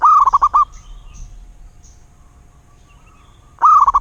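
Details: Zebra dove from the wild, locally recorded. A stuttering cooing phrase ends at the start, and after about three seconds of quiet a new phrase begins with its rising note and quick short coos.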